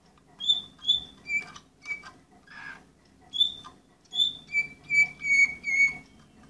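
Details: Orpheus breed canary, number 24 of 2014, singing clear whistled notes that step down in pitch, then a burst of harsh rattle, then a rapid run of steady flat whistles repeated about twice a second.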